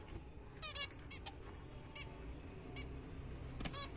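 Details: A short doubled nasal call, then a few softer single beeps and a final sharp call, from pet zebra finches at their morning feed of apple and seed, over constant low-frequency hum.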